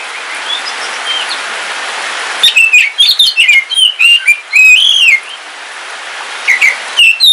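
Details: On a rainy day a caged kacer wulung from Kalimantan, an oriental magpie-robin, breaks the rain hiss with a vigorous series of loud, varied whistles and chirps, then pauses and resumes.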